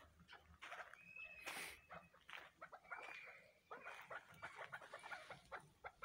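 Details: Chicks of a chukar cross give thin, high whistled notes and scattered sharp chirps, with a short noisy rustle partway through.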